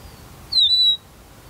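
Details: Rufous-naped Lark calling from a burnt tree stump used as a song post: one clear, high whistled note that slides downward and then holds level for about half a second, over a quiet background.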